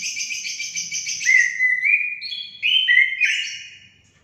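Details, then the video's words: Orange-headed thrush singing, played to stimulate caged songbirds. A rapid train of short repeated notes leads into loud, clear whistles that step and slide downward, then rise again in bright, varied phrases. "Langsung nyaut gacor anis kembang anda"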